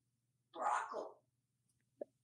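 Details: Pet African grey parrot in a Texas home, hatched in 1997, names a food while giving its lunch order: one hoarse, speech-like word of about 0.8 seconds, then quiet and a single short click.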